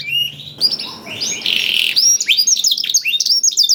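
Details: Canary with blackthroat song, played as a lure to prompt singing; faint low notes, then a harsh noisy burst, followed by choppy high chirps and slurred whistles.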